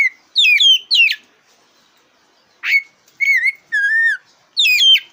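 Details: Black-breasted oriental magpie-robin (kacer dada hitam) in full, loud song, used to provoke competition birds: clear high whistled phrases, some rising, one drawn-out falling whistle, separated by brief silences.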